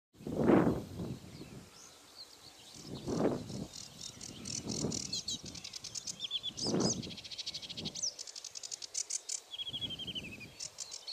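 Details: Sedge warbler song: fast chattering runs of dry, scratchy notes mixed with brief whistled trills. The song runs almost without a pause and is partly masked by repeated loud, low rumbling bursts, likely wind or handling noise.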